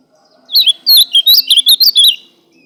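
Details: A single loud ultramarine grosbeak song phrase of about nine rapid, sweet whistled notes that swoop up and down in pitch, delivered in under two seconds against a nearly silent background.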